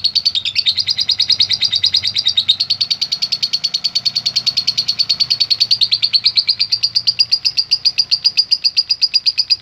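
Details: Lovebird calling in response to a lure recording, with a rapid, steady run of high, harsh chirps repeated about twice a second throughout, plus faint low background rumble.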